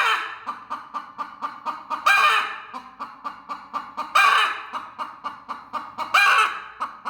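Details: Aggressive mother hen protecting her eggs: quick repeated clucking at an even pace, interrupted about every two seconds by a harsh, drawn-out squawk.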